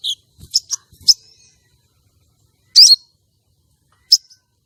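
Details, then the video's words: Female common iora calling, used to lure males and stir the breeding drive of male contest birds: a few sharp, high chips, then a short harsh buzzy burst and one last high chip after a pause. "Pancingan sogon betina untuk pikat dan pancing birahi sogon jantan lomba"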